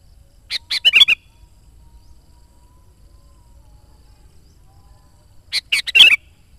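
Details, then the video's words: Loud sooty-headed bulbul, used as a calling lure for wild bulbuls and to train decoy birds, sings two short phrases five seconds apart, each a few clipped notes rising into a bubbly, liquid flourish over a quiet background. "SUARA BURUNG KUTILANG GACOR COCOK UNTUK PANGGILAN BURUNG KUTILANG LIAR DAN PIKAT AJARAN"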